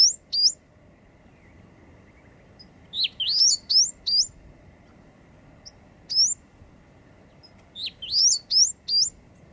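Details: Endangered eastern bristlebird displaying in late August 2017 at Booderee National Park, Jervis Bay, near the Cape St George ruins; bursts of sharp, high, upslurred whistles, several in quick succession, separated by brief pauses, over quiet background hiss.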